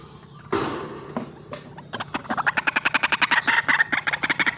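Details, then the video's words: White-breasted waterhen recording used as a lure for bird trapping: a loud broadband burst, a few scattered notes, then a fast run of harsh clucking pulses, roughly three per second, building in loudness. "RUAK RUAK GACOR GANAS RAJANYA PIKAT"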